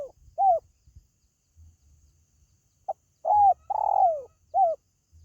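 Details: Spotted dove call used to attract pet birds kept at home: soft, low hooting coos, a few scattered short notes, then a clipped note leading into a long falling coo and a final short coo.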